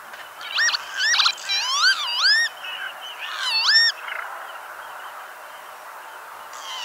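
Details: Northern lapwing, critically endangered on Norway's red list, gives a burst of wheezy, slurred, swooping 'pee-wit' calls in quick succession, then fades to quiet outdoor hiss.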